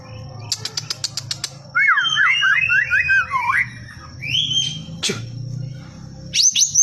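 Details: White-rumped shama singing: a burst of rapid high ticking notes, then a run of looping, warbled whistles sliding up and down, a rising whistled phrase, and sharp high notes at the end over a low background hum.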